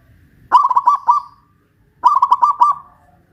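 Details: A local Pajajaran zebra dove from West Java, caged and hoisted high, sings two loud, bubbling coo phrases of rapid pulsed notes that trail off softly. The phrases are about a second and a half apart.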